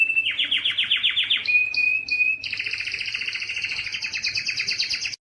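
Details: Canary song aimed at making males sing: a series of quick descending chirps, a sustained clear whistle with short high notes above, then a long, evenly pulsed double-toned trill.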